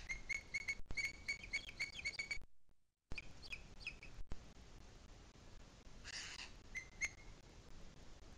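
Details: Booted eagle in the Sierra de Guadarrama, afternoon of 2 July 2021, opening with a quick string of piercing whistles, then a sudden break, followed by sparse single notes and a burst of hiss.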